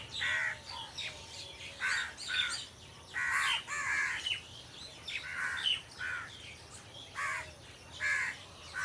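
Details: Crows among trees keep up repeated hoarse caws, roughly one every second, some in short runs, over a constant low hum.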